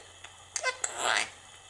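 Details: 18-year-old male Quaker parrot (monk parakeet), hatched in 1999, gives a quick burst of raspy, chattering speech-like syllables.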